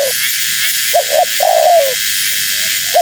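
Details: One full phrase from a female spotted dove used to lure wild doves: paired short hoots then a long coo sliding downward, with faint extra notes and hissing noise.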